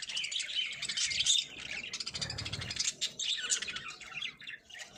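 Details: Lovebirds kept for breeding give dense, rapid high-pitched chirps and squeaky twitters that overlap almost without pause, with a brief low rumble near the middle.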